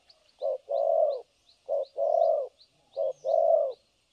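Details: Decoy spotted dove in Vietnam cooing steadily, each phrase a brief low note followed by a longer hollow coo, three phrases over four seconds, with faint high chirps of small birds behind.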